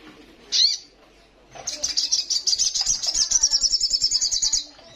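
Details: Female ruby-cheeked sunbird calling a male in breeding condition: one sharp high chirp, then a fast, rattling, high-pitched trill lasting about three seconds.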